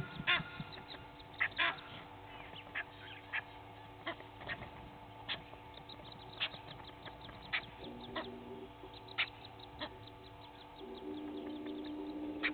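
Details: Egyptian geese, two families fighting at Gowrie dam waterhole on Djuma Game Reserve, Sabi Sand, South Africa, at 06:01 on 18 April 2019; harsh, honking calls in irregular bursts and quick runs over a steady low hum.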